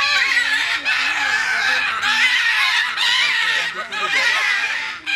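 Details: Captive scarlet macaws, two parrots at Novosibirsk Zoo, screaming: harsh, raspy, broadband squawks about a second long, following one another almost without pause and separated by brief gaps, with faint human voices underneath.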